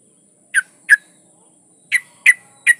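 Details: Female yellow-vented bulbul in breeding condition calls a male with single short throaty notes: two close together, a pause of about a second, then three more spaced evenly. A faint high hum continues throughout.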